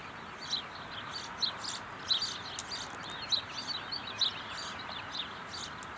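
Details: European goldfinch at Caledonia, Wisconsin: short high twittering notes repeated roughly every second, sharp bright chirps standing over a steady broadband background hiss.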